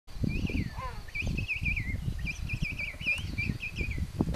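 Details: King penguin mother feeding her young chick at the King Penguin nature reserve in Tierra del Fuego, Chile, in April 2021. Repeated high, wavering whistled notes trill in quick series over steady low wind rumble.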